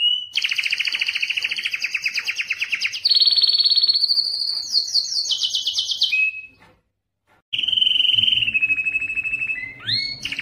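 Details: Canary singing long and strong to attract females, with dense fast trills changing pitch every few seconds, a short silence, then lower rolls and rising whistled notes while faint low background noise is heard.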